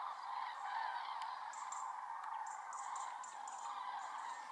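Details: A large flock of common cranes (Grus grus) gathering before leaving the Iberian Peninsula, keeping up a steady chorus of loud, rolling trumpeting calls, with thin high chirps from smaller birds now and then.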